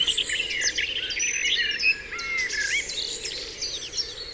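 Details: Several birds sing together at dawn on Dewlands Common, with long clear whistled notes and quick high trills layered over a constant faint background hum.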